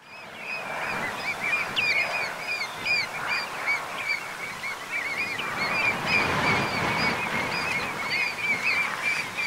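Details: Pied avocets at a nesting site in the Marais de Séné nature reserve, Morbihan, France, on 29 April 2024: many repeated sharp, clipped calls overlapping in a noisy colony over a steady background rush.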